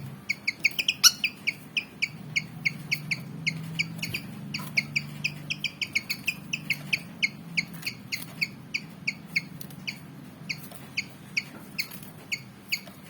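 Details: Black-and-white Javan fantail about 19 cm long, showing eagerness to fight, keeps up a long, rapid series of short, sharp, high chips with steady rhythm and a faint low hum behind.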